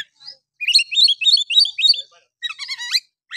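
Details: Oriental magpie-robin singing harshly to rouse other males: fast repeated chirpy two-note phrases, about three per second, then a dense burst of twittering notes.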